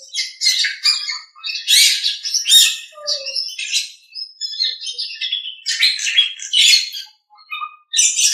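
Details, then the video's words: Nias hill myna giving loud, varied bursts of harsh squawks mixed with shrill whistles, in quick phrases separated by brief pauses; a song recording used for training other birds. "Masteran Suara Jalak Nias"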